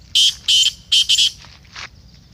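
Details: Black francolin voice used to excite a kept teetar: four loud, coarse, buzzy notes in quick succession, the last pair close together, followed by a softer, trailing fifth note.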